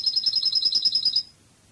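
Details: European goldfinch singing in the Spanish Cádiz song style from a song tape: a fast, even, tinkling trill of high pulsed notes lasting just over a second, then silence.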